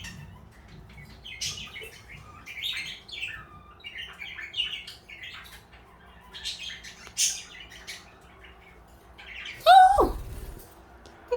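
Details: Two pet parakeets, one blue and one light yellow, kept together as companions, give soft scattered chirps and twittering chatter throughout, with a louder harsh burst near the end and a faint low background hum.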